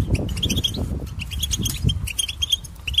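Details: Three seconds of European goldfinch song, a bird noted for imitating other species, with a continuous stream of quick, bright twittering notes and little trills over low background rumble.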